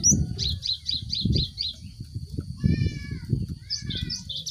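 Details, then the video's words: Cinereous tit lure recording to stimulate group-caged birds to sing; a rapid series of about seven high chirped notes, a brief lower harmonic call mid-clip, then more chirps, over low rumbling background noise. "Pancingan gelatik batu untuk merangsang burung ombyokan cepat bunyi"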